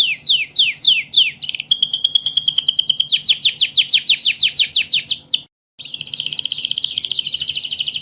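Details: National champion canary in full song: rapid downward-sweeping notes giving way to a long, fast, even trill, a short break, then another dense buzzy rolling trill.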